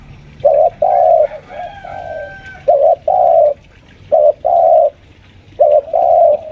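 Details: Spotted dove kept as a lure bird at home, about five years old, pressing a rival: repeated low two-part coos, a short note followed by a longer drawn one, five phrases in quick succession, a faint higher whistle in the background.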